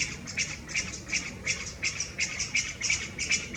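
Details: Chinese bamboo partridge, a male perched about 3 m up on a branch and not singing, recorded 11 March 2023; ground calls, with more from others behind: short, sharp, bright notes repeated briskly, almost three per second, over faint background hiss.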